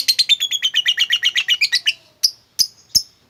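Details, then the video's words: Lovebird chattering in a ngekek run played to make a quiet bird sing: a rapid string of shrill buzzy notes for two seconds that fades, followed by three separate sharp chirps. "lovebirdmu loyo malas bunyi jadi gacor ngekek panjang seketika dengan pancingan ini."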